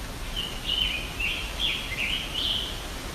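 Scarlet Tanager song: a run of short, hoarse, burry phrases, robin-like but rough, as if sung with a sore throat, over faint background hiss.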